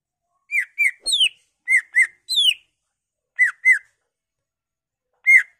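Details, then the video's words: Greater green leafbird lure song to set other leafbirds singing: paired downslurred whistles repeated in small clusters with longer descending notes between, separated by short pauses. "Pancingan Cucak Ijo Merangsang Cucak ijo lain"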